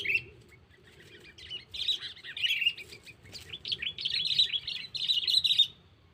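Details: Sooty-headed bulbul used as a lure, calling a rival: fainter, scratchy chattering phrases in several bursts, loudest near the end, over a constant low background hum.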